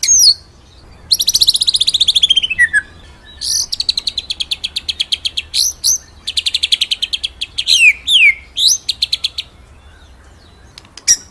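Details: Master recording of a white-rumped shama singing ngeroll nembak style for training other birds: long, fast, varied runs of high sharp notes, rapid repeated chips and descending whistled slurs, with brief gaps between runs.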